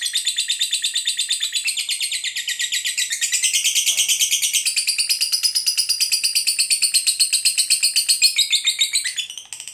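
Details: Lovebird in long ngekek, the rapid chattering song used to draw other lovebirds into singing, a high, dense, scratchy trill pulsing steadily for nearly ten seconds without a pause.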